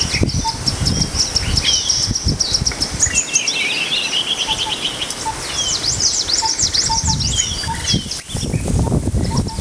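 Green-tailed sunbird giving thin, high twittering and rapid sharp chips, with overlapping chirps from other birds and low wind or rumbling noise.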